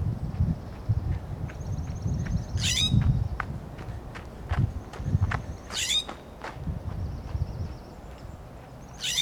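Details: California scrub jay on a coast live oak branch in Del Monte Forest, California, scolding with three loud, grating, down-slurred calls spaced about three seconds apart, amid light tapping clicks, a faint high trilling bird and low rumble.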